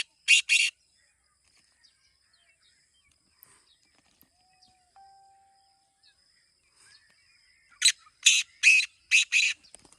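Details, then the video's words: Black francolin, known locally as kala teetar, gives two rasping notes, then falls quiet for several seconds before a rapid phrase of five harsh, buzzy notes. A faint brief tone is heard in the pause. "Kala Teetar Awaaz Kholne Ka Tarika | Black Francolin Calling Formula"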